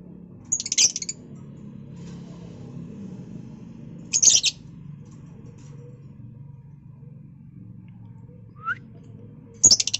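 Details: Lovebird singing in March 2021, giving short harsh high chirp bursts spaced several seconds apart, with one brief rising whistle near the end, against a quiet low background hum.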